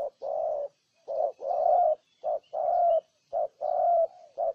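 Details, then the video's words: Repeated deep coos from a spotted dove in Ninh Thuận, Vietnam. Short notes alternate with long, slightly wavering coos in a close, loud sequence. "Cu Gáy Ninh Thuận"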